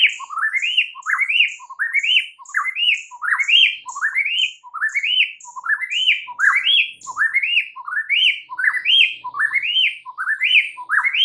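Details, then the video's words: Lure song of a white-rumped shama, used to stir other shamas to anger: a rising, buzzy-edged phrase repeated steadily, roughly eighty times a minute, with sharp high ticks between. "PANCINGAN Murai Batu bikin langsung EMOSI murai manapun saat mendengarnya"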